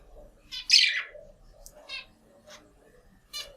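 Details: Pet budgerigar chats with its reflection in a mirror, giving a burst of scratchy, high chirps and short rasping notes.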